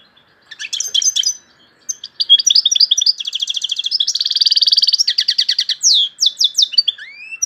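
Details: European goldfinch from Algeria singing a loud, high song with named phrases tourougio, kaka gio and bourouis: bright twittering, a long fast buzzy trill, then sharp descending notes and a rising whistle.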